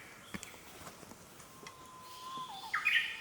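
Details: Japanese paradise flycatcher, a male incubating at the nest in a green forest: a long flat whistle gives way to a brief, loud, rough burst of higher notes at the end, with other forest birds faintly in the background.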